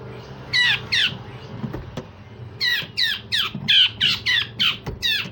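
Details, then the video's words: Grey-cheeked bulbul in a rough, harsh "besetan kasar" song style with sharp "tembakan" notes, used to train other songbirds: a rapid series of loud, raspy, squawking notes, in pairs and runs, over a low background hum. "Cucak jenggot Besetan Kasar dan Tembakan Tajam"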